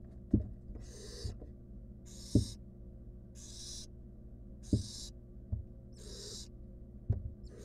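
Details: Nestling barn owl, wild, in a monitored nest box, working alone at a stolen rodent: five steady, breathy screeching hisses roughly every one and a half seconds, broken by sharp knocks from movement.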